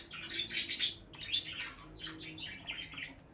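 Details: Peach-faced lovebird couple, a bonded captive pair staying close by the nest box; dense bursts of high, scratchy chirps and twitters running together, briefly pausing, then resuming softer.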